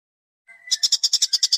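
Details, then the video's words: Rough besetan kasar masteran tutor recording for training caged songbirds: a brief thin tone, then a rapid harsh rattle of loud pulses, roughly ten a second. "MASTERAN BESETAN KASAR DI SEGANI LAWAN|| full Suara burung Masteran kasar"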